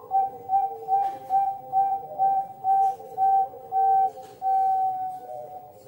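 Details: Zebra dove (Bangkok perkutut) giving a competition-style cooing song with clear rhythm and clear middle and end phrases: soft, pure, flute-like notes near one pitch, delivered in a steady run of about two per second.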